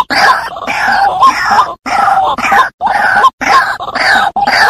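White-breasted waterhen giving loud, harsh, groaning croaks in ragged bursts, about one a second, with short silent gaps between phrases.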